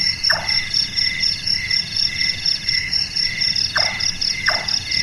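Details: Night-active Large-tailed nightjar, Caprimulgus macrurus, with a hammering call said to resemble carpentry: one knocking note, a long gap, then two more close together, over a dense high-pitched insect chorus.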